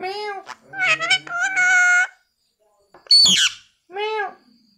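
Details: Talking parrot producing voice-like harmonic sounds: a wavering speech-like phrase, a long steady tone, a sharp high squawk, then a short rising-falling vocal note.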